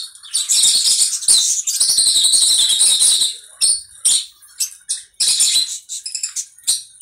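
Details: Conure screaming: a long, continuous run of rasping shrieks for about three seconds, then shorter sharp squawks spaced by brief silences.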